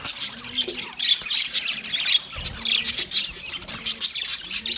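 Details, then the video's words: Several white male budgerigars chatter in a steady, scratchy warble of rapid squeaks, clicks and chirps, overlapping throughout; described as a mating sound. "White Males Budgies Chirping sound Parrots mating sound"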